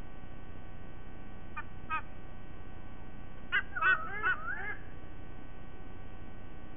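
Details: White-bellied sea eagle recorded in Sydney on 5 October 2023 at 07:45. Two short nasal honks are followed by a quick burst of goose-like honking notes, all over a steady low hum.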